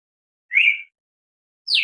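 Two clear whistled notes from a red-crested cardinal: a level mid-pitched note, then a higher one sliding downward, cut off at the end.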